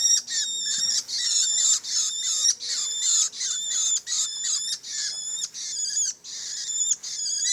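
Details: Young long-tailed shrike giving harsh, raspy, hissing calls with a buzzy overtone, repeated in quick succession, about ten bursts in seven seconds, each roughly half a second long with short gaps between.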